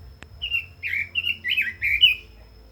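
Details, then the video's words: A quick, fluid red-billed leiothrix phrase of six or seven whistled notes, each bending down then up, in steady succession; a sharp click sounds before it. "Chim Quế Lâm kích giọng hay, căng lửa - Burung Robin Gacor | Chim Kim Oanh Mỏ Đỏ"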